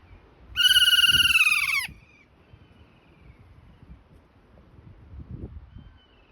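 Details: Kea in New Zealand giving a single loud, drawn-out screech of just over a second that slides downward in pitch, followed by faint thin whistles over low background noise.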